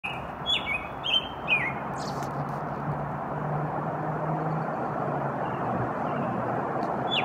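American robin sings a few quick, clear caroling whistles in the first second and a half, then goes quiet over a steady low rumble of distant traffic.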